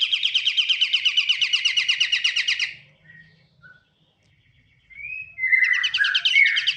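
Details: Pied triller singing: a fast, dry trill of about twenty buzzy, evenly spaced notes lasting nearly three seconds, then a brief pause, a couple of short whistled slurs, and the start of another rapid trill.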